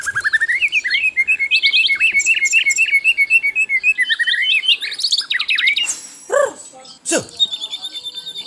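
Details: Asian brown flycatcher in energetic tutor-style song: rapid chattering series of high notes, a run of repeated sharp chips near the middle, then varied buzzy trills and some lower slurred notes near the end.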